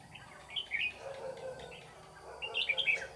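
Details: Red-whiskered bulbul used as a decoy in a trap, singing to draw rival birds; two bursts of bright, warbled whistled phrases, rising and falling, with a quieter gap between, over steady background hiss.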